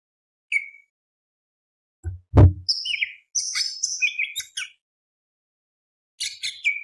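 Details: Greater green leafbird singing a varied run of whistles and harsh, rattling buzzy notes, starting with a single whistle, then a loud low thump, then fast dense phrases and a closing burst.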